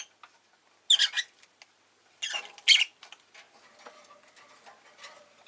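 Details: Pet rosy-faced lovebird making two bouts of scratchy, shrill chirping, the later one louder and doubled, against a background of faint clicks and rustling.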